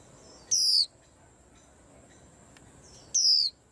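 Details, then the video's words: White-eye said to stir up the whole aviary rack; two brief, very high, down-slurred whistled notes about two and a half seconds apart, over a faint steady background hiss. "Tiếng Chim Khuyên Làm náo loạn cả giàn"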